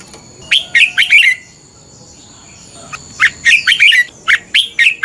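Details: Red-whiskered bulbul fighting song meant for morning training: a short burst of warbling notes, a pause, then a longer fast run of bright chirped and slurred notes.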